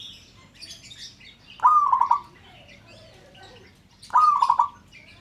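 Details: Local-type zebra dove calling so that other birds join in: a stuttering, warbled coo of several fast pulsed notes, repeated once after roughly two and a half seconds, over soft background twittering.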